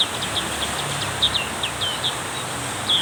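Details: Heavy rain drives a black-capped white-eye into lively song, with sharp high chirps scattered throughout, some brief and some slightly drawn out, against a constant rushing downpour.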